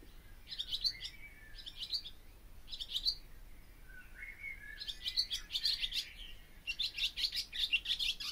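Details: Barn swallow in song, giving short high twittering bursts every second or so, building into a longer rattling, clicking run at the end.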